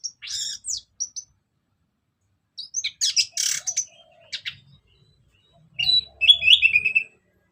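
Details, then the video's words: Orange-headed thrush in ngeplong style, used as a lure for other birds: scattered short chirps, then a dense burst of sharp notes, and a final run of quick warbled whistles over faint low rumble. "Kicauan Anis Merah Bikin Emosi Dan Gacor"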